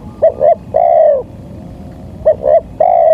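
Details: Lure sound of a spotted dove for trapping, clear coos: two clipped notes then a long level-to-falling coo, the pattern starting again after a short pause.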